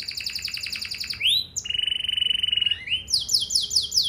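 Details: Canary lure song to set other canaries singing: a rapid pulsed trill, a rising slur, a steady buzzy rolling trill, then repeated quick falling sweeps.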